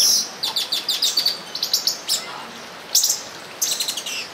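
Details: High, rhythmic chirps from mating olive-green tanagers in São Bento do Sul, about a dozen even ticking notes in a steady series, a short gap, then two more bursts of clustered tweets.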